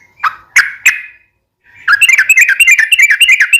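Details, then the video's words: Yellow-vented bulbul (trucukan) singing, kept as a cage bird for daily song training: three sharp separate notes, a pause, then a fast chattering run of bubbly warbled notes. "KICAU SUARA trucukan gacor KHUSUS BUAT MASTERAN HARIAN"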